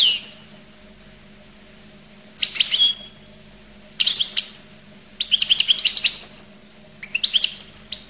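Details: Goldfinch labelled as the Collo (القل) type, singing in short bursts of high, rapid twittering and tinkling notes, four phrases separated by pauses of about a second, over a faint steady low hum.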